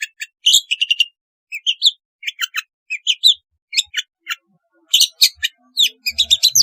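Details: Long-tailed shrike singing, a recording used to encourage lazy birds to sing: a fast stream of high, scratchy chirps and twitters in short clustered bursts, varied and continuous.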